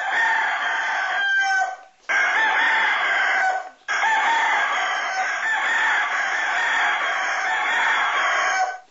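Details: Asil rooster with yellow legs, kept indoors in Alaska, in an edited sequence of crows: a brief call, then a sustained hoarse crow, and a final long one lasting about five seconds that dominates throughout.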